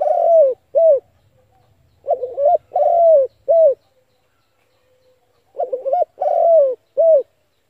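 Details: Spotted dove used as a lure for trapping, giving a few short phrases of low, hollow coos, each phrase a few quick notes, separated by pauses of one to two seconds, in otherwise quiet surroundings.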